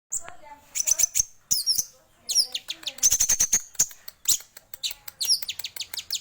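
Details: Male orange-headed thrush singing vigorously: a dense run of high, sharp chirps and rapid trills, with bursts of clicking notes and brief pauses between phrases.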